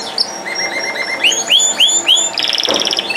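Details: Canary song of steady whistled notes, then a run of rising slurred phrases and a fast buzzy pulsed trill.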